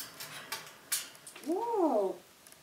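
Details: Pet African grey parrot indoors giving a drawn-out, wailing meow-like sound of two bending, arched tones lasting under a second, preceded by soft clicks and light tapping.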